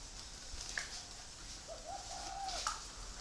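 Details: Spotted dove from a free-range breeding flock at a bird farm in Ba Vì, Hanoi, Vietnam, giving soft low coos: a short note, then a longer smooth note that rises and holds level, over steady hiss and faint clicks.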